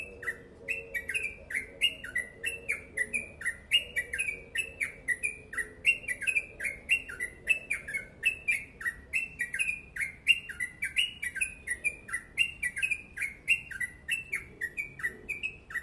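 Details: Long continuous yellow-vented bulbul song in the fast 'ropel panjang gacor' style: unbroken run of clipped, slurred notes for sixteen seconds, alternating higher and lower phrases with sharp clicks, a soft hum in the background.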